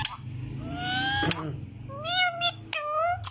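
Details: Green talking parrot imitating a cat's meow: drawn-out rising then falling nasal whines, several in a row, with clicks and room noise.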